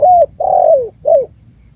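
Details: Close spotted dove calling, kept as a bird lure: three rounded, hollow coos, a steady first note, a long second one that slides down at the end, and a shorter falling third, over a quiet background.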